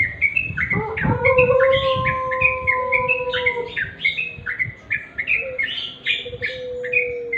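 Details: Natural song of the sooty-headed bulbul, a busy stream of quick chirping notes, some dipping, others rising, while long steady lower whistles hold underneath for a few seconds.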